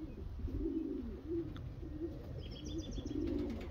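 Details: Racing homer pigeons give repeated low, rolling coos in short bursts, with a brief high squeak and faint thin chirps in the background over a steady low rumble.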